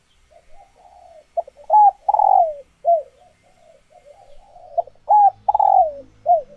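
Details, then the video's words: Caged female spotted doves in laying condition, used to spur males into courtship cooing; two loud phrases of rising coos plus a long hoarse falling coo, separated by low muttered coos. "Tiếng Chim Cu Gáy Mái Chuẩn Kích Trống"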